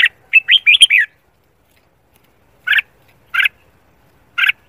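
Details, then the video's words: A red-whiskered bulbul sings in the morning for voice training and competition, giving a quick run of bright, warbling notes, then three short, clear whistled phrases about a second apart. "Luyện giọng chào mào hót sáng, chào mào hót thi đấu"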